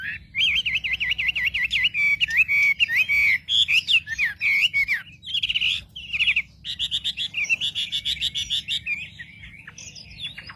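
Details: Wambi lure song to provoke other birds: a fast zigzag whistled trill, then varied loud warbles, buzzy bursts and rapid chattering notes, continuing for about ten seconds over a faint low hum.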